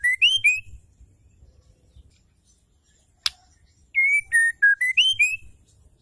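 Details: White-rumped shama female, used to spur male birds into singing, gives a rising whistled note ending one phrase, then a sharp click, then a full series of six clear whistles stepping down and back up.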